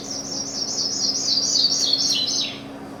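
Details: Sprague's pipit in native prairie at Grasslands National Park, Saskatchewan, a moderately grazed site, sings a thin, high, jingling cascade of rapid notes that slides gradually downward over about three seconds, with a faint low hum beneath.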